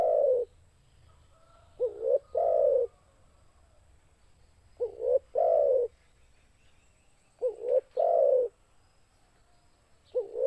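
A spotted dove gives soft, low, hollow coos in short two- and three-note phrases, repeated about every two and a half seconds over a faint low hum.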